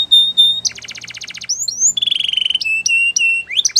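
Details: Canary singing a training song, opening with a pure whistled note, then a rapid buzzy trill, sliding whistles, a fast rattling roll and long flat whistled tones.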